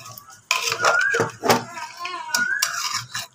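Pots, pans and cutlery clatter during stirring and cooking, with some sizzling and a brief voice; no animal is heard.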